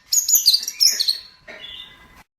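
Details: Long-tailed shrike song used as a master recording for training birds: a brief burst of harsh, scratchy, high chattering notes, then a thinner, steadier whistled phrase that fades before stopping.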